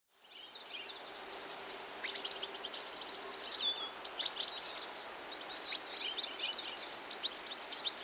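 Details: European goldfinch (Carduelis carduelis) singing a rapid, tinkling twitter of high, sharp chirps and slurred notes that grows busier and louder after the first two seconds, over a soft hiss of background noise.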